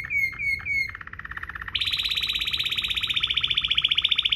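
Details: Tutor recording of Waterslager canary song: three descending whistled notes, a lower rolled trill, then a long, rapid, high rolling trill pulsing steadily.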